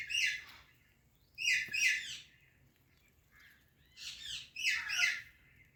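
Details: Ringneck talking parrot, a rose-ringed parakeet, chirping in paired bursts of harsh, chattering notes with long quiet gaps between them.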